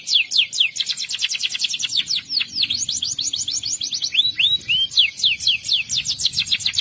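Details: Canary song in the morning to coax silent canaries and young birds into singing: bursts of very fast sharp repeated notes, a few looping rising-falling whistles, then more rapid rattling phrases.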